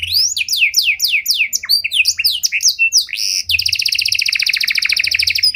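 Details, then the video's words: Panda canary pouring out a bait song used to train other canaries: rapid varied whistled swoops tumbling downward, followed by a sustained fast buzzy trill. "Pancingan Suara Burung Kenari Panda Cengkok Mewah! Ampuh Buat Memancing Maupun Melatih Kenari Lain"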